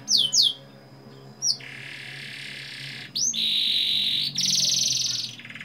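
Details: Canary song used as a lure to get young canaries singing: quick downslurred whistles, then long, steady buzzy rolled trills changing pitch in stages, each held about a second.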